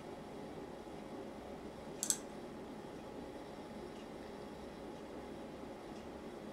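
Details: Steady indoor hum and hiss with one brief sharp click near the two-second mark, and no animal voice.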